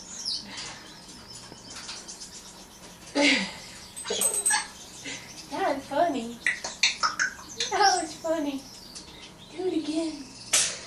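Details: A female African grey parrot plays firefighter, mimicking shouts of "fire" and "help" and rapid bell-like "ding ding" sounds in quick bursts, with a person talking alongside.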